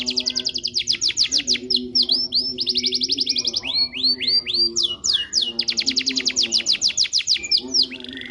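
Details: Green canary in a long-duration masteran recording: rapid runs of repeated trilled syllables alternating with slurred upswept whistles and rolling phrases, with a steady low tonal hum underneath.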